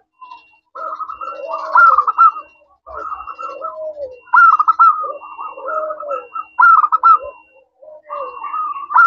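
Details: Local zebra dove in full song, used as a lure to draw answers from other doves: bursts of clear, bubbling, rapidly trilled whistles that rise and fall, delivered in phrases about two seconds long with short pauses between.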